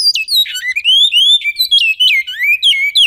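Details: Great-billed seed finch singing in the Goiano song style: a rapid, continuous run of clear whistled notes sliding up and down, with sharp downward swoops and rising glides between them, loud and clean with no other sounds.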